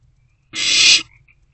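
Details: A single long, rasping hiss of about half a second from an owlet in a nest box at night while it swallows a just-delivered rodent.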